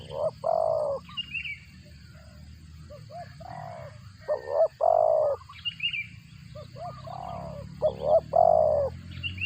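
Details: Spotted dove feeding its young, a bird whose voice is said to sound like a cricket: low, throaty coo phrases of two or three notes, pausing between groups, over a quiet background with faint high chirping.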